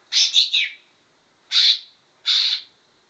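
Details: Imitation of grey-cheeked bulbul song by a trained greater green leafbird, opening with a rapid three-part harsh burst, followed by two single rasping, buzzy notes at even intervals.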